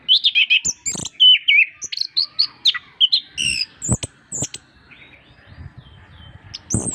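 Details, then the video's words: Master song of an orange-headed thrush (anis kembang) used to prompt quiet birds into singing; fast run of twisting whistles and warbled notes, then scattered sharp chips with faint low rustling. "masteran anis kembang gacor untuk perangsang burung susah bunyi"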